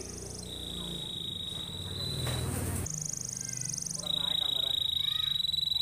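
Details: Canary song used as a lure to prompt other canaries to sing: a long steady trilled tone near one pitch, broken by a higher buzzy trill, then a rapid rattling trill, with low background hum.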